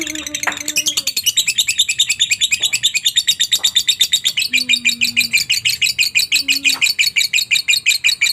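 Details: Long ngekek from a lovebird, played as a lure so other lovebirds join in: steady run of harsh, high chattering pulses about three per second through the whole stretch, with a few faint low whistled tones underneath.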